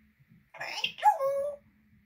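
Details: Pet African grey parrot talking: a short mimicked word with a breathy start and a drawn-out tonal vowel, in a quiet room with a faint low hum.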